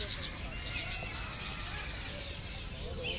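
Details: Common myna chicks in the nest give harsh, raspy begging calls in quick repeated bursts as their mother feeds them, Lodhi Garden, New Delhi, 4 July 2021, over a low rumble of background noise.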